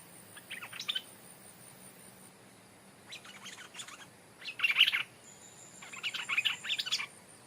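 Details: Stripe-throated bulbul used as a decoy, never before in the forest, calls toward a new resident territorial bird at its old home site. Short sputtering phrases come in four bursts, the later ones louder and denser.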